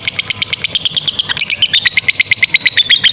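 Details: A lovebird fighter's extended ngekek chatter, played to train young or stalled birds; rapid shrill notes pulse steadily, about three per second, with the tone stepping slightly lower partway through.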